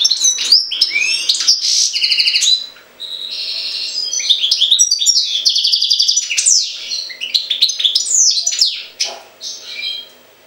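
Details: Extended song of a Jagodina goldfinch: near-continuous, rapid twittering with tinkling trills, buzzy rattles and sharp slurred whistles, pausing briefly twice; a low steady hum is faintly present.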